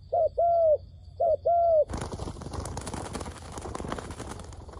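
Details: Dove cooing to draw wild doves toward a trap in Cambodia: two paired coos, a brief note then a longer even one, followed by loud rustling and handling noise that drowns the calls.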